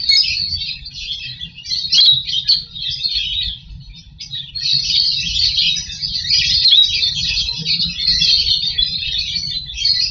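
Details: Lovebirds in a nest box during breeding, egg hatching and feeding of chicks: continuous high, dense chattering and twittering with rapid overlapping notes, swelling and fading in waves with a brief lull near four seconds.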